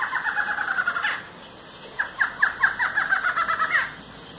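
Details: Barred antshrike calling in quick runs of nasal, downslurred notes. One run ends as the clip opens, and a second series of about ten notes follows after a short gap.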